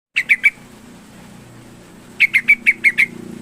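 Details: Yellow-vented bulbul in lively song, used to prompt a reluctant bird to sing: a quick burst of three sharp chirps, a pause, then six evenly spaced bright chirps.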